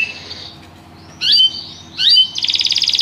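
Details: Canary song fragment: a faint whistled trill, two loud short rising-falling notes about a second apart, then a quick buzzy rolling trill at the end.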